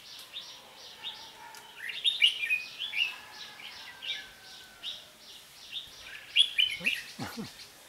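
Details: Red-whiskered bulbul singing during bird trapping, used as a decoy: bright, rapid chirped phrases repeated in bursts, with loud sweeping notes around two and six seconds and a few low knocks near the end.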